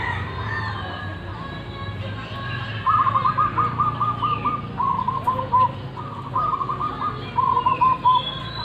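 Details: Wild local zebra dove noted for its big voice, giving repeated phrases of quick, throaty coo notes in bursts of about a second each; a constant low rumble and occasional faint chirps from other birds behind.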